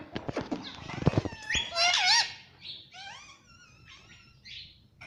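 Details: Indian ringneck parakeet kept as a pet, giving a burst of dry clicks and then a run of wavering, bending chirps that fade into thin, high squeaks.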